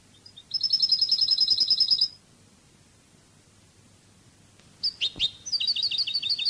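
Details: European goldfinch, Spanish Cádiz song style, from a song tape: a sustained rapid high trill, a two-second pause, then sharp separate chirps leading into another quick run of tinkling notes.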